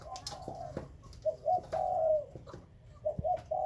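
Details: Captive breeding spotted doves, described as Khmer and Malay doves: a mellow coo phrase of short clipped notes leading into a drawn-out rolling note, with a brief clatter at the start.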